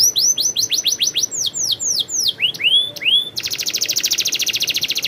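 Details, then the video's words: Canary singing a rolling song: clear descending whistled sweeps repeated in series, then a dense, rapid high trill rolling to the end. "suara burung kenari ngerolll super gacor"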